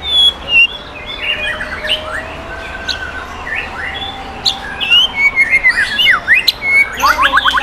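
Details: Sumatran white-rumped shama from wild forest lineage, a competition winner, performing at a Bengkulu singing contest: clear whistled phrases and rising slurs, ending in a rapid run of rattling notes, other birds overlapping throughout.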